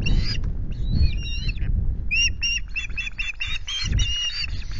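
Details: At the Loch Garten osprey nest, 25 July afternoon, around a fish delivery: varied high whistled chirps, some rising and bending, others short and clipped in quick bursts, with gusty low wind beneath.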